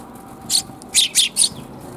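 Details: Sparrows in a back alley on 28 January 2022: one high chirp, a pause, then three quick, bright chirps in a tight row, all sharp and clear over low background noise.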